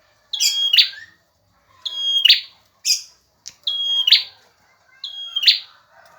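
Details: Repeated song of a male bar-winged prinia for tutoring other birds: a high level whistle snapping into a buzzy burst, given five times at intervals of about one and a half seconds, with quiet surroundings.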